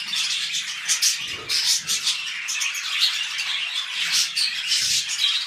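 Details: Pet budgerigars mating at the start of breeding: rapid, scratchy warbled chatter with loud bursts of chirps and squeaks, plus a couple of soft low knocks.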